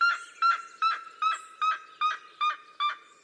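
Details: Red-legged seriema from the Cerrado giving evenly spaced, ringing, harmonic yelps, about eight in three seconds, each note short and slightly falling.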